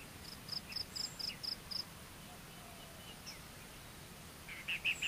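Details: Common kingfisher chick awaiting its mother's return gives a rapid series of six thin, high, even peeps, then near the end a few slightly lower, fuller notes, all against a quiet hissing background.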